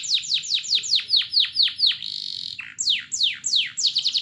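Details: Canary lure song meant to trigger other canaries' singing: evenly spaced, loud, downward-swooping whistles about three per second, a brief level buzz, a short upslur, then more swoops ending in quick notes.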